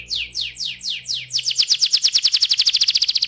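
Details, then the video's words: Canary singing 'ngeroll', the rolling song style, meant as a lure for singing canaries: a few slow downward-sweeping whistles that speed into a rapid, even, rolling trill. "PANCINGAN TERCEPAT dan SUKSES BIKIN KENARI GACOR NGEROLL"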